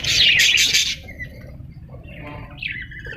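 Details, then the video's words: Parrot lets out one loud harsh squawk for about a second, followed by quiet, thin whistled notes and soft chatter. "parrot sound"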